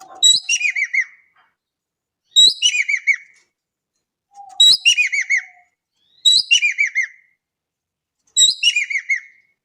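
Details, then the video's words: Indonesian Javan kingfisher calling actively: five loud, harsh, chattering phrases, each a fast run of descending rattled notes lasting about a second, repeated roughly every two seconds against a silent background. "EKEK KELING GACOR DAHSYAT"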